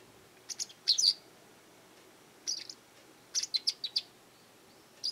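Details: Japanese wagtail calling often in a garden, perhaps demanding something, threatening others or claiming territory; high, sharp chirps in short clusters, a pair near one second, then a group of four to five around three and a half seconds.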